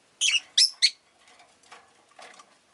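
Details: Pet Rosy-faced lovebirds, a group chirping a lot on this day, give three loud, piercing chirps in fast succession, followed by faint, softer chatter.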